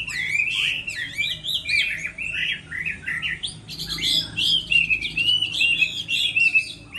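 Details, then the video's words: Moulting-season contest singing from a Chinese hwamei: a dense, varied torrent of whistles, slurs and quick trills, shifting pitch constantly and hardly pausing. "Họa mi hót đấu mùa thay lông"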